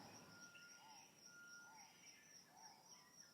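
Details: A Yellow-fronted Tinkerbird in a residential garden area of Area 10, Lilongwe, Malawi gives short, hollow, mid-pitched pumping notes, like air pumped into a bicycle tyre, one nearly every second, over a steady insect whine and faint bird chatter.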